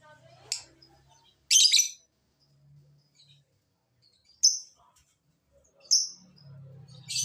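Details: Lovebird calls meant to coax lovebirds into sound and provoke a lazy bird to reply: brief shrill raspy bursts and sharp chips scattered over seven seconds, a low hum underneath.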